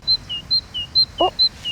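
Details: A great tit (mésange charbonnière), heard during an outdoor nature lesson with a class of young schoolchildren, repeats a bright two-note phrase, a high note dropping to a lower one, about twice a second; a brief voice cuts in once.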